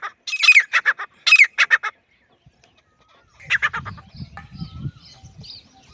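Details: Grey francolin delivering two short bursts of harsh, loud squawking notes, then a pause, then fainter calling over low rumbling noise.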